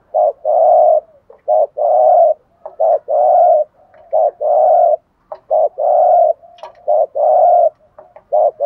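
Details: Decoy spotted dove in fast 'thúc gù' urging coo, 'giọng thổ' voice: loud, low, hollow coo notes tumbling in quick succession, about a dozen in under nine seconds, with short clipped notes mixed in and barely any pause.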